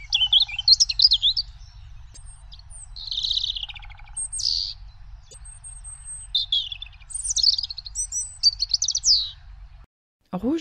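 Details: European robin singing high, thin, wistful phrases: tumbling warbles, sweet pure whistles and brief trills, each separated by short pauses, over a faint low hum.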